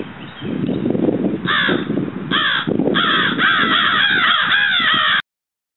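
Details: Florida crow (Corvus brachyrhynchos pascuus) giving harsh, hoarse caws in quick bursts, a short pause, then a longer run of rapid repeated caws, over a steady low rumble of background noise.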